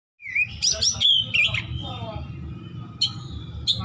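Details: Oriental magpie-robin in besetan style with rich isian mimicry: bright whistled slurs and rising notes, sharp high clicks, then a long held whistle and scattered chips over a low background hum.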